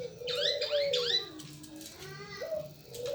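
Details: Local turtle dove (burung puter) drawing out a long, slowly falling low coo, then a short rising one, as a few quick high squeaky chirps from another bird open the sequence.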